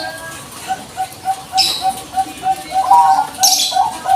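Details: Zebra dove of the Bangkok strain, used as a lure recording to provoke other birds into replying; a steady run of short, low cooing notes at about two per second, broken by a few loud, brief rustling bursts.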